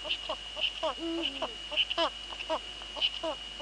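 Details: Eurasian eagle-owls in the Netherlands on 2 February 2013 at 19:15, female at the nest and the male close. One low, level harmonic note lasts about half a second, surrounded by busy scratchy clicks and a persistent high whine.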